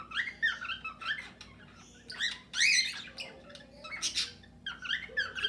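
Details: Aviary of cockatiels singing alongside budgerigars: scratchy, rapid chirps and screechy bursts from many birds, with a short faint low whistle near the end.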